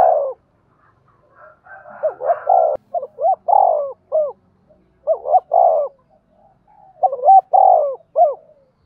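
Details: Spotted dove with a giọng đồng voice, used as a lure to provoke wild giọng thổ birds; low hooked coo phrases, each with a longer throaty middle note, repeated four times over a quiet background.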